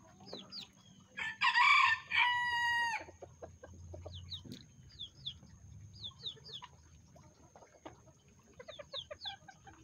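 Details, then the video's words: Self Blue Old English Game Bantam chickens in the rain during Tropical Storm Beta, one bird letting out a loud, harsh, drawn-out crow of about two seconds, followed by quieter clucks and thin bird chirps over a low rumble. "Lavender Self Blue Old English Game Bantam Chickens In The Rain"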